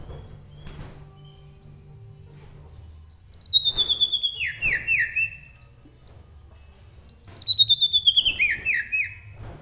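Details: White-rumped shama of the Bahorok type from Medan, North Sumatra, singing vigorously in roll tembak style: two bright whistled phrases, each opening high then sliding down through quick trilled, stepped notes, separated by a short pause over soft low background hum.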